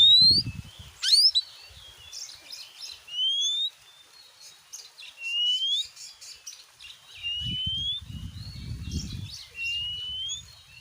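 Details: Softer oriental magpie-robin song, used as a lure to provoke other magpie-robins: long thin rising and falling whistles with faint chatter, against low rumbling background noise.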